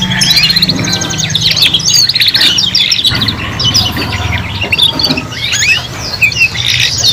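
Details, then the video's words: Three young canaries in song practice: a continuous chorus of fast trills, chirps and whistled notes, with a steady low hum in the background. "KENARI PAUD BELAJAR BUNYI BARENG 3 IN 1 | CANARY SINGING"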